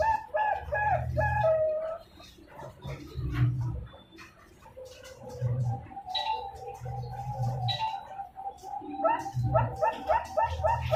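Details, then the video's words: Two-month-old captive zebra dove, hatched 14 November 2021, at a breeding farm in Pasuruan, East Java, Indonesia: soft tonal coos in rapid staccato runs, pausing and resuming, over low muffled rumbling bursts and faint clicks. "PIYEK PERKUTUT BERBAKAT USIA 2 BULAN"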